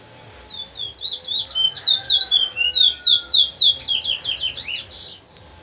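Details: A large-billed seed finch, called towa towa, from Linden sings as a teacher bird for training other birds: a long rhythmic run of bright whistled notes, about four per second, swelling then fading, with a faint lower tone underneath.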